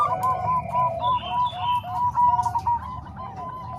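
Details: Zebra dove cooing from combined Bangkok and Cemani Kolbuntet perkutut voices: overlapping trains of short, rounded coos repeated quickly, with a continuous low rumble underneath.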